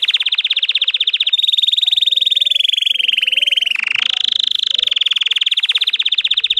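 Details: Russian canary bred for singing: continuous high rolling trills with rapid even pulses, a layered upper tour added midway, then a brief rising glide before the steady trill returns.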